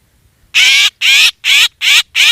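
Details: Black drongo lure call: five loud, drawn-out rasping squawks, evenly spaced after a moment of silence, each broad and noisy with a downward-sliding overtone texture.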